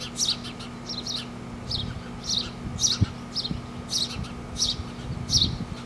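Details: Four baby birds chattering in a front tree as parents feed them: irregular clusters of high, thin chirps and squeaky notes, with low background rumble and a faint voice-like murmur.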